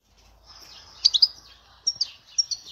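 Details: European goldfinch from the Dehouara area near Souk Ahras singing thin, very high twittering notes in two short bursts about a second apart over faint background noise.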